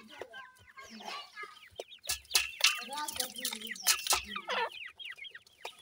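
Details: Baby grey francolins cheep nonstop, with bright downward-sliding peeps stacked over one another, broken by loud taps and scraping sounds.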